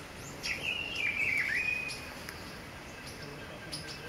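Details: Blue-throated (Gray's) piping guan at Pouso Alegre, Pantanal, Brazil, on 23 September 2013, gives a thin, high, wavering whistle lasting about a second and a half, over a steady high insect drone.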